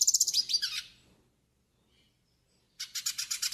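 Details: Tutoring and warm-up song of a yellow-faced siskin: a dense burst of high twittering and slurred notes, a silent gap of nearly two seconds, then a fresh fast, even chatter.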